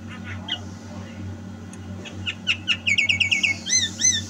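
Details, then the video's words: Javan myna in lively 'gacor' song, 2022: after a quiet opening come a few sharp notes, then a fast string of repeated chirps and looping whistles, over a steady hum. "Suara Burung Jalak KEBO Gacor"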